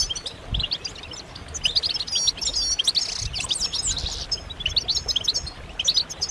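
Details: Several European goldfinches give excited group twitters, mating calls said to stimulate males to sing; crowded liquid chirps and thin whistled slurs overlap, with a brief denser burst in the middle.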